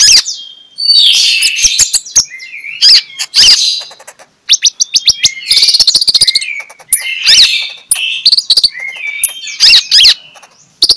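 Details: Morning song of a magpie-robin, used as a lure to get sluggish magpie-robins singing: loud, varied whistles and chattering phrases broken by sharp clicks, with brief pauses.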